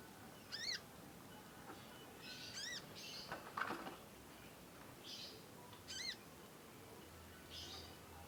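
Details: Juvenile conin learning its song, with long chirping: a series of high, sharp, down-slurred chirps with bright overtones repeated every one to two seconds, interspersed with softer buzzy notes, over low steady hiss.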